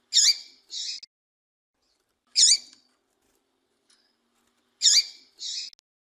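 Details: Female double-collared seedeater calling to prompt males to sing: a sharp curving chirp followed by a softer, buzzier note, then a lone chirp, then the chirp-and-buzz pair again, about every two and a half seconds.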